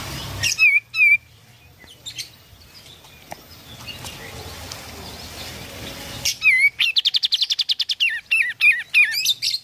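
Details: Kapas tembak, an oriental white-eye, singing briskly to coax a silent bird back into song. Scattered sharp whistled notes that dip and rise, a quiet rustling pause, then a dense rapid series of high, wavering chirps.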